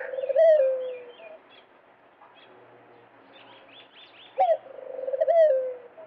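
A dove gives low, soft cooing phrases that swell and then slide down, about four seconds apart, while small birds chirp thinly in the background.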